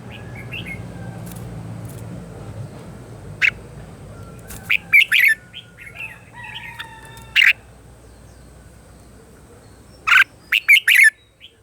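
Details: Morning song of a red-whiskered bulbul used as a training decoy: sparse bright chirped phrases, a cluster near the middle and another toward the end, over constant low background noise and faint distant chirps.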